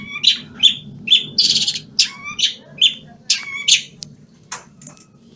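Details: Long-tailed shrike from Banyuwangi, moulting yet singing: scratchy rasps, sharp clicks and short whistles in an irregular, lively sequence that fades toward the end.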